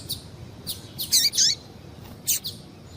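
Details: High, thin chirps from a female double-collared seedeater, used to stir males into song; a few faint notes, then a loud pair of sweeping, falling chirps, another pair after a pause.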